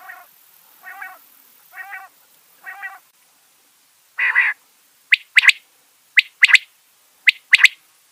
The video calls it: Quail Sound